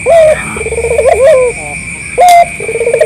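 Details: Local collared dove calling loudly as a lure to make other doves answer: a short high coo, then a rolling, pulsed coo ending in a drawn-out falling note, repeated; a steady high electronic whine runs throughout.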